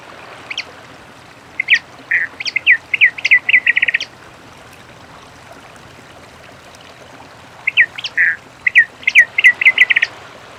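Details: Two song phrases from a many-colored rush tyrant in nature, each opening with high sharp notes, then a buzzy note and an accelerating string of clipped notes, separated by about four seconds of quiet hiss.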